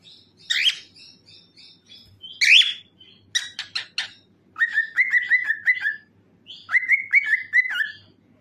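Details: Cockatiel in song while dancing: sharp upslurred screeches and chirps at first, then two rapid series of stuttering, level whistled notes, each about a second long, in a quiet room.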